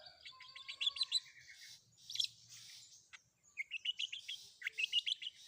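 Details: Long-tailed shrike in a combination fill-in song: a chattering series of quick chips with a low whistle underneath, a harsh burst, then another fast run of rising chips.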